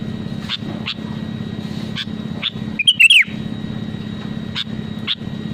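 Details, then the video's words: Sooty-headed bulbul singing to provoke rivals: one short warbled whistled phrase stands out mid-way among faint scattered clicks and ticks, with a constant low hum underneath. "SUARA ASLI BURUNG KUTILANG GACOR PALING AMPUH MENEKAN LAWAN UNTUK BUNYI GACOR SEKETIKA"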